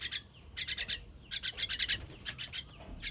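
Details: Fledgling being fed, 18 June 2023, begging with fast clusters of rasping high chirps, short pauses between groups, sound close and lively.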